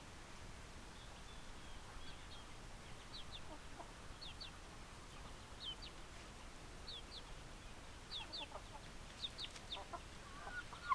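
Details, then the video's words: Chickens heard as scattered high, quick down-slurred chirps in small groups, a few soft low clucks, fairly quiet with steady background noise throughout. "Chicken Sounds Noises Hens Clucking Roosters Crowing"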